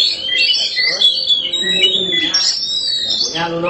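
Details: Black Oriental magpie-robin (kacer hitam), a kept bird, singing with long thin high whistles and quick twittering, while a person speaks quietly in the background.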